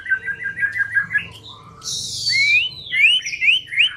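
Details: Lure song of a white-rumped shama for provoking a quiet bird to sing: a row of quick bubbling whistles, a hissing burst, then rising clear whistled slurs.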